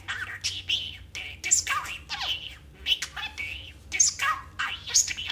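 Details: Pet budgerigar, partly out of frame, talking in a fast, chattering run of squawky, buzzy syllables and scratchy bursts with abrupt pitch jumps, reciting partial film and television quotes mixed with nonsense mimicry.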